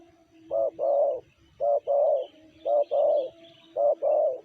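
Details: Tekukur, or spotted dove, with a 'sanji' style voice, repeats a low, hollow two-note coo four times at steady one-second intervals, a brief note then a drawn-out one, against a quiet backdrop.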